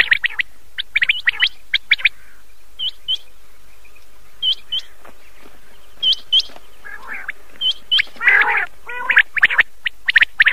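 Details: Common quail heard at night on an old cassette tape; bursts of short sharp high notes in small groups, with paired upslurred notes between and a harsher noisy rasping passage midway.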